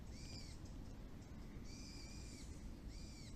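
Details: Birds near a plum orchard calling actively after the rain stops: three arched, clear harmonic calls, the middle one longest, repeated about every second and a half, with steady low background rumble.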